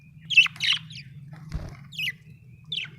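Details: Budgerigar giving quick squawky chirps, several clustered at the start, then isolated sharp notes near two and three seconds, with a low background hum and one soft knock.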